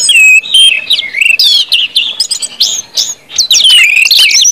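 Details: Short burst of ngeplong song from an orange-headed thrush, played to set other birds singing: clear whistles, rising and falling swoops, then a brief lull before a final whistled flourish.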